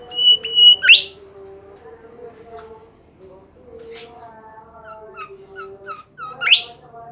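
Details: A lively Bimoli bird gives a level high whistle, then a sharp upward sweep, a run of short chipping notes, and a final rising sweep, with a constant low tonal drone in the background.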